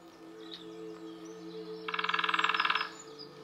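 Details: In Nottinghamshire woodland in the UK, a female lesser spotted woodpecker from a pair gives one fast, evenly pulsed drum roll lasting about a second. The roll follows a quiet stretch with faint background birdsong and low hum.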